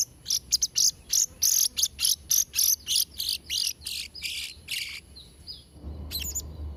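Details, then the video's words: Blue-crowned hanging parrot song used for training young birds: a rapid run of high, sharp chirps about three per second, bright and buzzy, then a short pause and a final burst of shrill notes. "Variasi & Isian Suara Serindit Trotol Gacor | Sangat Cocok Untuk Masteran& Pancingan Burung Serindit"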